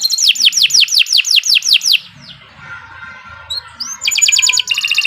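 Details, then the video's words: Canary in full gacor song, used to coax other canaries into singing: about eight sharp, high, downslurred notes in quick succession, a quiet pause, then a buzzy rapid trill. "Kicau Burung Kenari 148 II LUAR BIASA GACOR PANJANG Cocok untuk Masteran"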